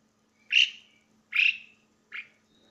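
Asian pied starling giving three loud, harsh, rasping notes, each under half a second, spaced about a second apart, with a faint low hum behind.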